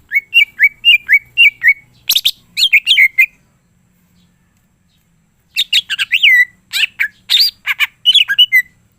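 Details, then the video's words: Cucak ijo greater green leafbird in lively full isian gacor song: a string of repeated slurred whistles, harsh buzzy bursts, a few seconds of silence, then an extended varied run of chirps and swooping whistles. "cucak ijo mana saja akan ikutan bunyi dan gacor dengar c ijo ini bongkar full isian"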